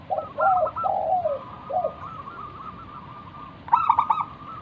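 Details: Local wild zebra dove singing as a lure for other doves: low rolling coos open the clip, then a faint drawn tone, ending with a loud, rapid stuttering burst.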